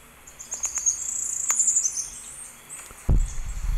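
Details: Tropical parula at Sonso Lagoon near Buga, Valle del Cauca, Colombia, singing a very high, thin buzzy trill of about a second and a half after a few sharp ticks, ending with a low thump.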